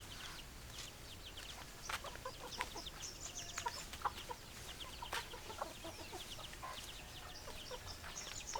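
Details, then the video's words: Chickens clucking in a busy flock: many short sharp calls and clicks overlapping throughout, some high chirps among them, with a steady background hiss. "Chicken Sounds Noises Hens Clucking Roosters Crowing"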